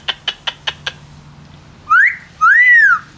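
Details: Pet Amazon parrot, one of two chatting while drying off on a nice day: five quick sharp clicks, then a short rising whistle and a longer arched, clear whistle.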